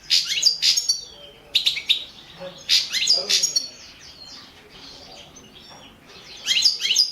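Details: Goldfinch of the balcanica race in a 2017 world song championship recording; dense, rapid high twittering phrases in several clusters, then a quieter pause before another burst.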